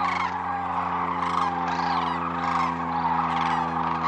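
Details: Sandhill cranes wintering at Whitewater Draw, Arizona, after a freezing night with thin ice on the pond; a steady murmur of overlapping rolling crane calls with a steady hum underneath.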